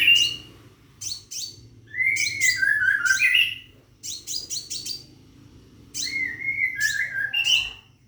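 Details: Calling for a female, a caged scarlet minivet gives rapid bursts of sharp high chirps. Louder, lower slurred whistles rise and fall between the bursts in a quiet room.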